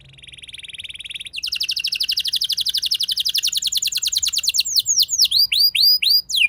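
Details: Canary lure song for prompting other canaries to sing. A faint trill swells into a loud, fast rolling trill of many quick repeated notes, which breaks into clear, falling whistled slurs near the end.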